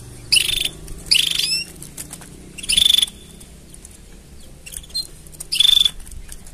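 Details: Canary mating song in short bursts: five rapid high trills and rolls spread over several seconds, some opening with sweeping notes, with quiet gaps and a faint low hum between them.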